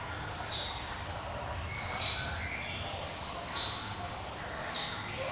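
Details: Java sparrow giving its ringing 'cemelenting' call: four separate high, bright notes that drop in pitch, spaced about one and a half seconds apart against steady low noise.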